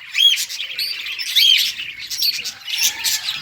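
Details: Happy budgerigar song, bursts of bright whistled chirps and scratchy chatter coming in waves roughly every second.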